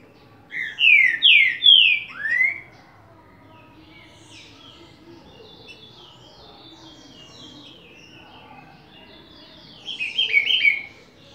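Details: Green-winged saltator song in the Bacural and Bom dia seu Chico styles: four strong slurred whistles opening the phrase, a long quieter stretch with faint high twitters, then a dense burst of whistled notes near the end.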